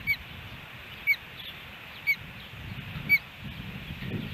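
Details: An osprey on its nest in Hellgate Canyon, Missoula, Montana, July 13, 2018, a day with three fish brought in. Four sharp, high whistled chirps ring out about once a second over a faint low rumble.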